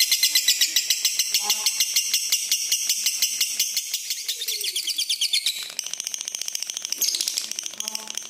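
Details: Lutino lovebird, red-eyed, ngekek-ing at length: a rapid, regular, chattering trill that weakens then resumes more raggedly, with a brief human voice low in the background. The recording is meant to teach other lovebirds.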